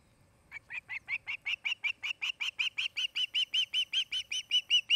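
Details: Nest camera at an osprey nest in Charlo, Montana, 8 August 2018, afternoon: after a brief quiet start, a rapid string of sharp whistled chirps begins, notes repeating about two or three per second and growing louder toward the end.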